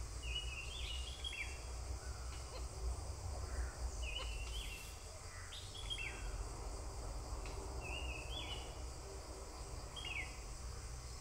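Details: Malabar grey hornbill feeding its young; bright upslurred chirps near the upper-middle range come in short paired bursts roughly every two seconds over a steady low rumble of background noise.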